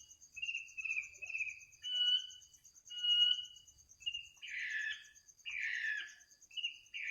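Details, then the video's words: Bird singing in the middle of the night, its song offered as soothing bedtime listening; slurred whistled phrases around mid-pitch, then harsher buzzy bursts, over a steady high insect-like trill throughout. "kicau burung di tengah malam"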